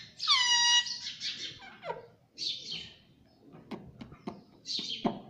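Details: Pet parrot that is said to talk, saying mummy and papa: a loud harsh screech with stacked harmonics, then shorter scratchy squawks and a few clicks in a quiet indoor room.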